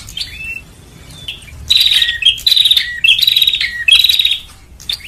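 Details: Bar-winged prinia lure call for attracting birds: faint scattered chirps for the first second and a half, then four loud, rapid trilled bursts in quick succession, each with a sharp falling tail note.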